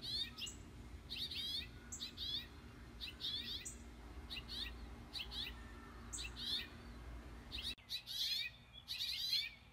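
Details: House finch parents on a front porch give short, bright chirping calls in quick bursts, high and slightly warbled, over a low steady background hum; their young are attuned to these calls.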